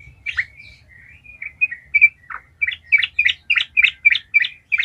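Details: Sooty-headed bulbul in full gacor ngalas song, a lure meant to spur other bulbuls to sing: gliding whistled notes slide up and down, then turn into a steady run of sharp chirps about four per second.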